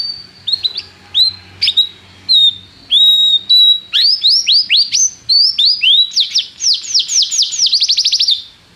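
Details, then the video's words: Canary singing to train a young canary: spaced single whistled notes, then rising slurred notes speeding into a fast accelerating trill at the end, over faint low background hum. "canário cantando - professor para o treinamento do seu filho canário"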